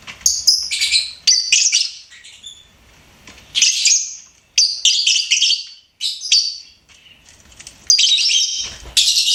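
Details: Lovebird chirping and singing: repeated short bursts of shrill, buzzy twitters, each about half a second long, spaced by brief silences.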